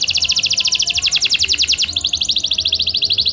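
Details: Canary song for encouraging silent canaries to sing: an unbroken, very fast pulsing trill, high and bright, shifting to a slightly different trill near the end; low hum beneath.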